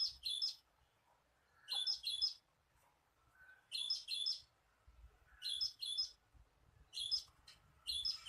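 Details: Cinereous tit song used to lure birds: high, thin paired notes in doubled bursts, repeated about every one and a half seconds, with faint low background rumble.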